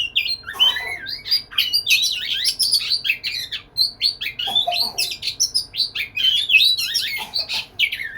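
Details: Courting white-rumped shama in full song to a female, a rich unbroken run of varied warbled whistles, quick trills and high chirps with almost no pause.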